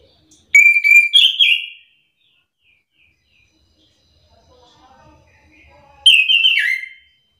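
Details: Orange-headed thrush lure song intended to make other thrushes answer in turn. Two loud phrases of bright, slurred whistles come about five seconds apart, with faint scattered notes between them.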